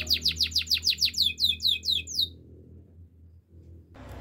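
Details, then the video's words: Singing canary for training, delivering a quick series of about a dozen clear descending chirps, steady and evenly spaced, then silence and a short burst of noise at the end. "Bird sounds canary chirping"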